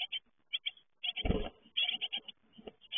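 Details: Young great tits at fledging: short clusters of high chirps, broken by a heavy low thud and some scuffling. Then more rapid chirping follows.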